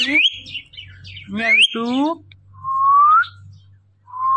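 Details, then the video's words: Pet parrot talking nonstop indoors: speech-like phrases with rich layered overtones, then two drawn-out rising whistles, over a low steady hum. "this Parrot talking are non stoppable"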